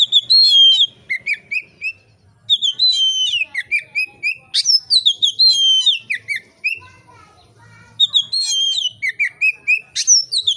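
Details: Oriental magpie-robin singing loudly and freely in a relaxed style, used to provoke other magpie-robins to sing: rich whistled phrases with sliding, falling notes and sharp upward flicks, given in three bursts separated by short pauses.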